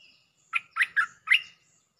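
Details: Streak-eared Bulbul lure song, Thai style called Jao Bank with doubled phrases, actively singing: four quick bright chirpy notes, each sliding and buzzy, delivered in a tight half-second burst after a faint thin whistle, quiet background.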